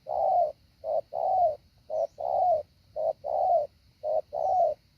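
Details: Decoy spotted dove in training for the hạ bổi style, giving low mellow coos as a brief note followed by a longer drawn one, the pairs repeating rhythmically about once a second.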